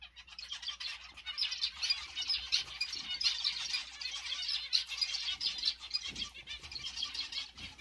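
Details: Newly paired zebra finches keep up a dense, continuous stream of high buzzy chirps and nasal beeps from several birds at once, with irregular louder notes scattered through the busy chatter.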